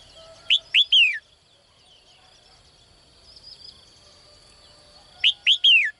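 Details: Caged female bird calling in the morning to attract a strong male: two bursts of three loud chirps, each a quick rising note followed by a falling slur, about four seconds apart, over a steady high thin hum.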